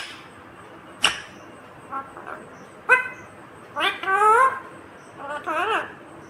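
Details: ['Talking green Indian ringneck parakeet: sharp clicks and brief notes first, then two wavering, word-like harmonic phrases near the end, the second rising and falling.']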